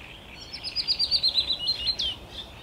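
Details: Willow warbler, 17 May 2021, delivering a short descending song phrase of clear, rapid notes that fall evenly in pitch, ending with a quick rising-then-falling flourish.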